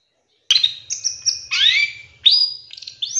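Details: Long-tailed shrike song recorded as a master lure with rapid 'tembakan' fill: clear whistled notes and slurred glides, some sweeping down, others held steady, delivered in short phrases with brief gaps against a quiet background.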